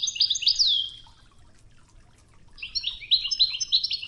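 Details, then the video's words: European goldfinch singing the Wedani style for a 'Toughza' training tape over river water: a fast twittering phrase ending in a sweeping slur, a second-long pause, then another bright, rapid chattering run. "الشريط الويداني الأصلي توغزة بنغمات خرير مياه الأنهار"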